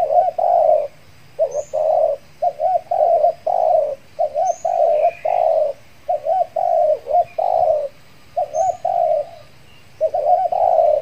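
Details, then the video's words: Decoy spotted dove (Kepri) calling to draw in wild birds after its moult; repeated paired coos, each a short hooked note followed by a longer burry one, continuing rhythmically, with faint distant bird chirps. "PIKAT TEKUKUR"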